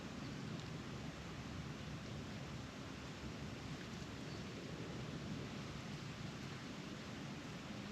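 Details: Continuous rain-like rushing and low rumbling are heard throughout, with no clear animal voice.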